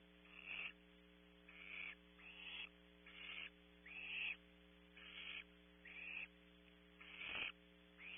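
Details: Barn owl owlet at a nest at Audubon Starr Ranch, California, caught on a nest camera: harsh, breathy hissing screeches of about half a second, repeated roughly every second, eight bursts in all, over a steady electrical hum.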